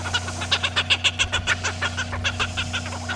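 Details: Cape petrels feeding on krill at the sea surface, squabbling aggressively among themselves, give a harsh, rapid cackling chatter of three or four notes a second over a steady low engine hum.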